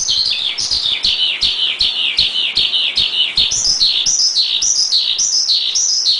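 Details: Masteran recording of a Javan pied starling: high chirped notes repeat in quick bursts of about two per second, each note sliding downward, with brighter rising whistles appearing toward the end.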